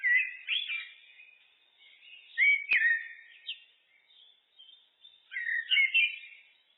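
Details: Song of a common blackbird (Turdus merula): mellow whistled phrases sliding up and down, with a sharp click midway and a final burst of warbling, separated by quieter twittering.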